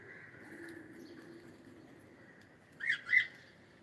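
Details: Cockatiel singing, heard as a faint steady whistle-like tone, then two short, loud, bright chirps in quick succession near the end, a quarter second apart.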